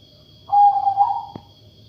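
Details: Zebra dove of the katuranggan majapahit type with an unusual voice: one smooth coo, a stuttering start drawn into a steady mid-pitched tone, ending with a click, over a faint constant electrical whine.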